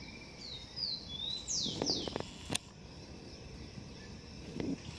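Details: Blond-crested woodpecker at its nest in a garden: a few thin falling notes followed by two loud, sharply descending strokes, then a single sharp click, over a steady background hiss.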